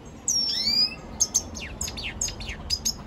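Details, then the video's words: Lesser goldfinch song fragment opening with a long thin descending whistle, then a string of short sharp high notes spaced about every third of a second. "Pintassilgo da venezuela cantando muito"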